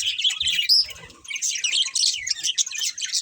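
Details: Chirping budgies: bursts of high twitters and scratchy warbles, briefly thinning out before swelling again into thick overlapping chatter, with faint low knocks beneath.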